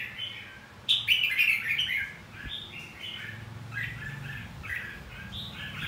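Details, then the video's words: Red-whiskered bulbul giving fighting song to provoke singing: a loud, tumbling warbled phrase early, followed by steady, softer whistled notes repeated several times a second. "Luyện giọng hót chào mào. Kích chào mào hót đấu."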